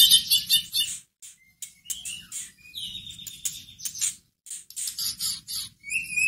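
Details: White-rumped shama lure song meant to stir another shama to reply. Harsh chattery bursts alternate with short gaps, then a long pure whistled note holds steady midway before more scratchy phrases and a final brief whistle.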